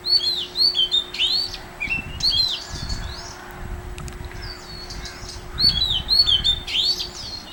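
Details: Oriental magpie-robin at Mormugao Harbour, Vasco da Gama: bursts of high, quick whistled and chirping phrases in rapid sequence, a quieter lull midway, then renewed lively phrases, with a steady low tone underneath.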